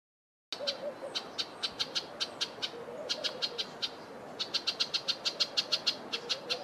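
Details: An Amethyst Sunbird in an Eastern Cape, South Africa garden gives sharp, high chipping notes in quick runs of about five per second, with brief pauses between bursts over a faint low hum.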